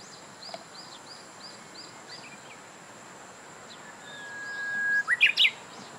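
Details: Japanese bush warbler song: a long, even whistled note followed by a quick loud burst of three sharp notes. Earlier, a softer series of short arched notes from another bird repeats about every half second.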